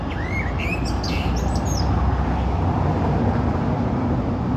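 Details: Common blackbird: a brief phrase of two or three looping whistles with faint high twittering at the start, then a loud continuous low rumble.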